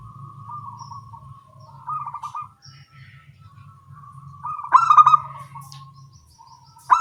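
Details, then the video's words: Zebra doves of a local type with small voices answering each other in the morning: soft, long wavering coos, a short stuttered phrase, then a louder burst of rapid coos. "Perkutut lokal suara kecil gacor pagi hari bersahutan"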